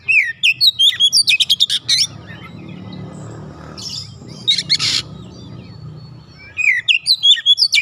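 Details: Oriental magpie-robin song: quick sequences of sharp high chirps and whistled notes in bursts, separated by pauses with steady low background noise.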